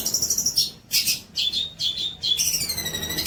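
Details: Long-tailed shrike song used as training material for young birds: buzzy pulsing chatter, scratchy bursts and clear level whistles, ending in falling, sliding whistled notes.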